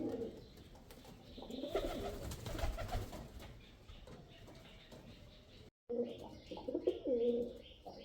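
A male pigeon gives low, throaty, rolling coos in short bursts, with a brief pause before another series; a faint background hum.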